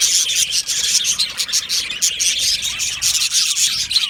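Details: Budgerigars in an aviary, described as happy, chirping together. The clip is a thick, buzzy wall of high twitters and chirps from many birds, pulsing slightly in loudness, with no gaps.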